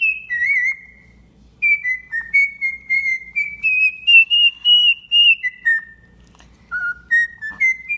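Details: Tame pet cockatiel singing a whistled tune: a string of pure notes stepping gradually upward, then dropping, a brief pause, then notes climbing again, melodic and deliberate.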